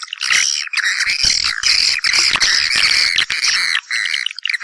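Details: Calling swiftlets inviting others to nest, loud squawky chatter with buzzy rasping notes and twittering, broken by a few brief gaps.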